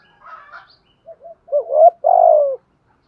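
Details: Spotted dove giving a 'thúc gù' coo to stir wild doves: soft higher murmurs, two faint notes, then a rising bent note and a long, loud, gently falling coo.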